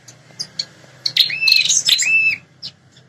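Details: Prinia call meant to make territorial wild males respond: a few soft high ticks, then one dense, rapid burst of shrill twittering with clear falling whistled slurs, and a faint low hum underneath.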